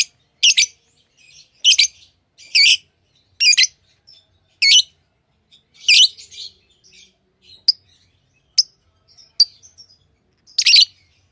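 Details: Hand-tamed lovebirds in a quick series of loud squeaky chirps about once a second, then a pause with thin, brief peeps before another harsh chirp.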